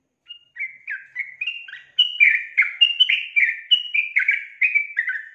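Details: A female yellow-vented bulbul, used as a lure call to draw males into singing, gives bubbly, chattering chirps at several short notes a second, growing louder and denser midway.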